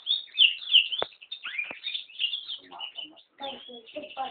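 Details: Yellow-rumped serin (Serinus atrogularis) × canary hybrid singing warbled twitters and short trills, followed by lower scratchy chattering notes, with a couple of sharp clicks in the background.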